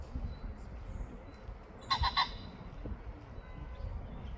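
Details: A common pheasant in Ljubljana, Slovenia, on 4 July 2024 gives a brief burst of three harsh, rasping notes in quick succession, over a steady low rumble of distant background noise.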